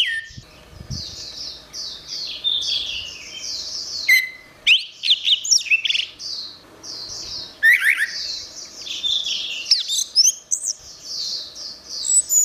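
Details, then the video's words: Orange-headed thrush in energetic song used as a tutor for songbirds: long runs of short chattering notes broken by loud sharp whistles, fast trills and clipped chips, repeated in several bursts. "Suara Burung Anis Merah | Gacor"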